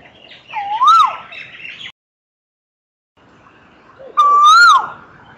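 Asian koel giving two loud, clear whistled notes, each sliding upward in a rising 'ko-el', a few seconds apart, over faint background hiss.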